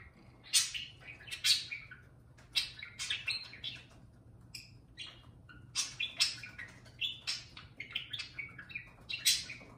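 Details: Indoor parakeet serenading a can of beer with a steady stream of high, scratchy chirps and squeaky warbles, packed tightly for nearly ten seconds.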